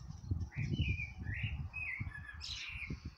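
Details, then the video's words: A male common blackbird in a garden calls out to his mate with a run of mellow, fluting whistles, each phrase sliding up and down, over a steady low rumble of wind. "Blackbird Calling out"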